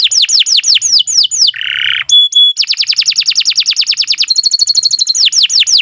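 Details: Canary giving a continuous training song: quick repeated falling whistles, a brief harsh buzz, two clear pure notes, then a fast rattling trill and higher chattering phrases before the whistles return.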